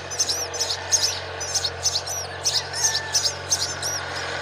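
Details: Myna parent bringing a spider to its young: a quick series of high, thin chirps repeats about twice a second, even and insistent, over a quiet hum.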